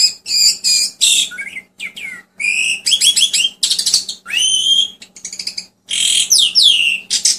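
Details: Asian pied starling, a bird valued by keepers for clearly mimicking other birds' songs, singing a varied, loud series of whistled, harsh and buzzy notes with rising and falling slurs and rapid rattling bursts, almost continuous across the recording.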